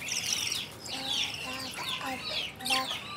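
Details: Lovebirds kept in a breeding cage with a nest, calling in quick, shrill squeaks and rising chirps. Several birds overlap in rapid bursts over a low background hum.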